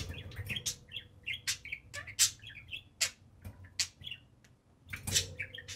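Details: A pair of pet budgies chatter while playing atop their cage at home. Quick warbled phrases alternate with loud sharp chirps, with a soft low hum in the background.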